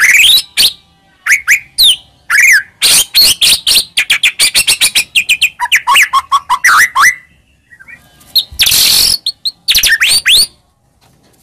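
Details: White-rumped shama song for provoking a reply: long sequence of rapid sharp chips and sweeping whistles, a run of lower warbled notes, pauses, then more loud bursts.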